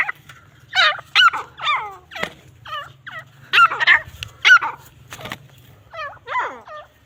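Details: Grey francolin (Irani teetar) in a fight, uttering strained, nasal squeals and looping slurred notes in uneven clusters, with a few sharp clicks and a continuous low hum beneath.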